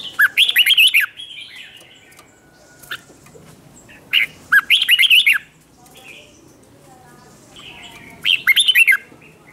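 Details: Red-whiskered bulbul singing competitively to stir up other birds: three short, loud warbled phrases of quick whistled notes, spaced about four seconds apart, with quiet between them.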